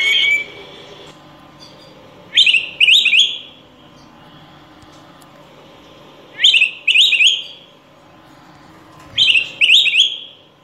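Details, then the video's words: Araripe manakin, a critically endangered bird of Brazilian forest, singing: short bright bursts of two or three rapid, slightly buzzy rising notes, given roughly every four seconds, with quiet gaps between phrases. "Saltarín De Araripe Cantando"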